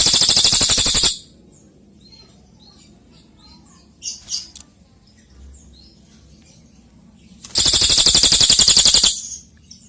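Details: Golden-bellied gerygone (cililin) singing energetically for training other songbirds. Two long, loud, rapid buzzy trills about seven seconds apart, with brief high chirps and quiet background between them.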